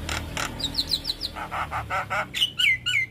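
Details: Javan myna song, master recording for young birds: a quick series of high whistled chips, then rasping buzzy bursts, ending in loud slurred downward whistles.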